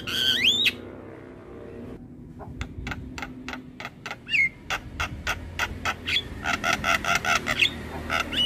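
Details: Javan myna master recording used to train other mynas: a varied medley of clear rising whistles, then rapid harsh clicking notes about three or four per second, mixed with chattering.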